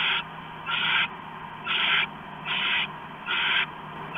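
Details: Owl at the nest at 7:36 PM on 3 September 2015, eating a stashed rat; rasping hiss bursts repeat roughly every second, each lasting about a third of a second, with a faint background hum.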